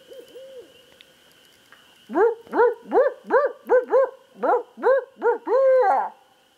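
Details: Barred owl lured closer by a person calling to it: a few soft hoots, then a loud rhythmic burst of about ten strong arched hoots, ending in a drawn-out wavering note.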